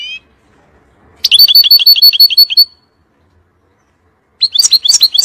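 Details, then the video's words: European goldfinch song in the intense 'fire' style used for teaching young birds: one opening note, a rapid string of high repeated chirps, a pause, then renewed lively twittering. "تغريد طائر الحسون نار لتعليم الفراخ"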